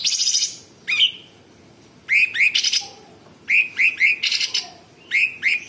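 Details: Sooty-headed bulbul in lively song with varied 'tembakan' bursts and rough 'besetan'. Paired and tripled upslurred whistles run into scratchy, broadband buzzes, in dense groups separated by short pauses.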